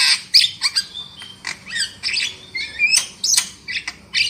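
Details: Javan myna lure recording meant to make birds sing loudly: varied whistled notes, some rising and some bending, alternating with harsh chips and squeaks in a lively jumble.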